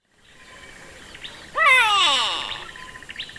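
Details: Grey Go-away-bird, a grey turaco that often perches conspicuously in small groups, giving a single loud nasal call that slides downward with stacked harmonics over about a second. Faint chirps of other birds come before and after.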